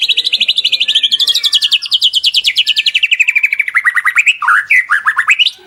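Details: White-rumped shama training song for caged birds: a rapid rattling trill that climbs, then slides steadily lower and ends in louder, looping whistled phrases.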